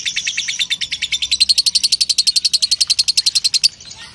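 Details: A lovebird performing ngekek, the long chatter played to train songbirds: piercing chips repeated very fast, tightening into a sharper, higher run before cutting off just before the end, leaving quiet hiss.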